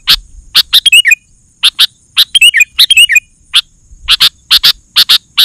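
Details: Sooty-headed bulbul in loud, excited song used to provoke other bulbuls and lure wild ones: sharp clipped chirps in quick pairs and bursts, broken by short twisting whistled phrases that drop in pitch, with a steady faint high hiss.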